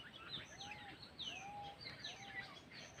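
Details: Golden oriole: low, smooth slurred whistles repeated about three times, roughly every 0.8 seconds, mixed with higher, quick downward-sweeping notes from other birds over a steady high-pitched hiss of background noise.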